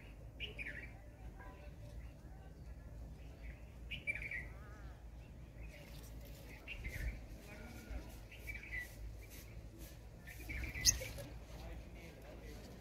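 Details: Purple sunbird, also called purple-rumped sunbird, giving short sharp chirps and rapid trilled notes at irregular intervals, mid-high in pitch, over a steady low background hum.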